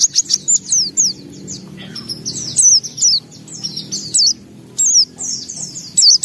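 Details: White-eye in lively song displaying its repertoire: short bursts of high, twisting whistles and chirps separated by brief pauses, over a soft low hum.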